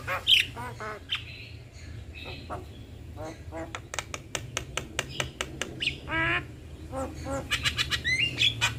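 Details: Black-winged starling pair, male and female, singing a duet: harsh squawks, clicks and rapid broadband notes mixed with whistled rising phrases and brief nasal buzzes, delivered in irregular bursts over a steady low hum.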